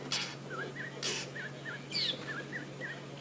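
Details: Fork-tailed drongo at dusk in a South African game reserve, 6 June 2016, giving short, dipping mid-pitched notes about twice a second, with harsh scratchy bursts, a high thin whistle and an engine hum; drongos gather on roads at dark, dust-bathing and calling.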